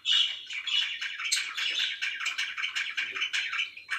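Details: Pet budgerigars chirp rapidly in a short, loud burst of tumbling, slightly harsh twitters and squeaks, with about two notes per second standing out.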